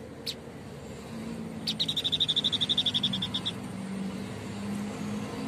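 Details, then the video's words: White-breasted babbler call: one sharp high note, then a rapid run of evenly spaced high chips for nearly two seconds, over a low background drone. "Tepus dada putih gacor"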